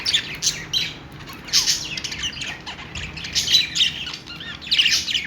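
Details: Happy budgerigar chatter in bursts: clusters of bright chirps and scratchy squawks separated by short quieter gaps, with a few rising and falling whistled notes.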